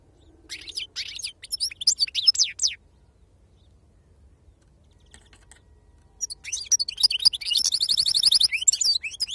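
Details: European goldfinch singing in authentic wild 'khalwi serfati' style: a burst of scratchy high twitters, a pause of several seconds, then dense tinkling phrases and a rapid buzzy trill.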